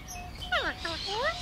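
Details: Hand-raised Alexandrine parakeet in conversation with its owner, producing a falling harmonic note, a short flat syllable and a rising swoop, speech-like, with the man's voice close by.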